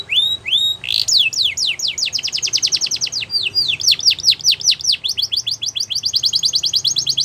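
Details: A canary sings a song used to prompt other canaries to sing along: two opening upward chirps, then continuous quick trills of sharply descending notes in changing tempos.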